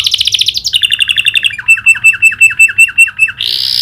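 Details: Canary singing vigorously, its song filled with the clicking call of the prinia: fast high trills stepping downward, then a run of sharp down-swept notes about five per second, ending in a buzzy burst.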